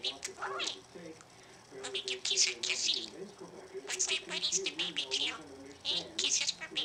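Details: Tiny Tim, a talking male rescue budgerigar, chatters in rapid, high, scratchy bursts that mimic human speech, with phrases like "thank you", "kisses for baby bird Timmy" and "Mommy's gonna beep the boy".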